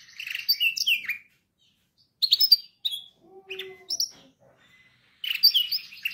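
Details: Canary song for training canaries: bursts of varied high chirps, trills and sweeping notes separated by short silences, with a longer rich phrase at the start and again at the end.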